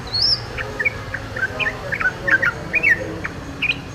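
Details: Yellow-vented bulbul in the wild, giving a run of brief bubbly chirps and slurred notes in an uneven rhythm, opening with a high thin slurred whistle.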